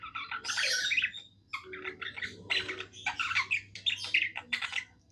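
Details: A contented pet budgerigar warbles in quick chattering phrases, buzzy squeaks and short chirps tumbling together in bursts, with a steady low background hum.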